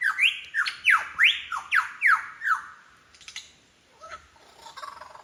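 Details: Lyrebird on Forest Path, Royal National Park, Sydney, singing a repertoire that mimics other birds: a quick run of loud, ringing whistles that sweep sharply up and down, about three a second, then fading into soft scattered chips.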